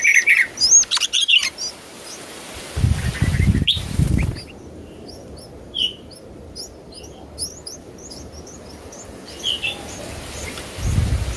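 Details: Newly hatched nestlings in a clay nest box being fed by their mother: a few loud harsh chirps at the start, then a run of faint, thin, high ticking notes repeated at a steady pace, with rustling and low rumbling throughout.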